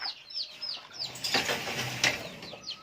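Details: Chicks separated from their mother hen call for her, peeping in high, thin notes that slide downward, repeated quickly and overlapping, with brief rustling and scuffing noises between them.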